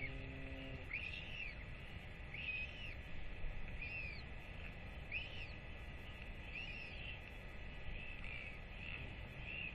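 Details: Northern royal albatross chick fed by both parents after a rangers' weight check, having left its nest in early July, 8 October 2024; arched, whistled notes repeat roughly every second and a half over steady wind rumble.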